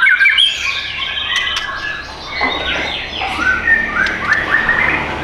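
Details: Captive white-rumped shama for sale in Bintaro, Indonesia; a varied stream of chirps, slurred whistles and short trills, slightly softer in the middle, with faint low background hum.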